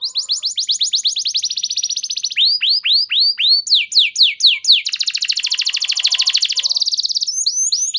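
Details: Canary song used as a prompt to get other canaries singing: bright high rapid trills of repeated notes, shifting into slower downward-swept whistles, then a long fast buzzy roll and sweeping phrases.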